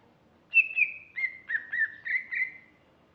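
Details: Short song burst of a female greater green leafbird: a clear whistle dropping into five or six rapid, slurred notes at a similar pitch, in an otherwise quiet setting.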